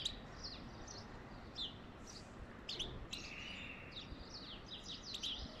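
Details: A goldfinch singing to prompt mating gives a rich, tumbling stream of high twittered notes, with sharp chirps, short buzzy slurs and a drawn-out nasal note in the middle, over light background noise.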